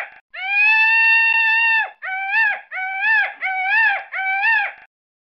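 A peacock gives one long, loud, nasal wail, then four shorter arched cries in quick succession. Nothing else is heard.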